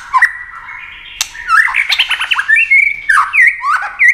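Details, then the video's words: White-rumped shama singing in competition with wing flashes and steady tail play: a dense run of harsh chattering notes and rising slurred whistles, with a sharp snap at about one second. "chòe lửa hót đấu tốc độ.nhá cánh chơi đuôi liên tục"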